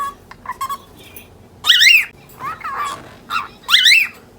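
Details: Angry pet lutino cockatiel, ten months old, scolding a budgie that keeps chasing it: a few soft nasal syllables then loud harsh wavering screeches, separated by short pauses.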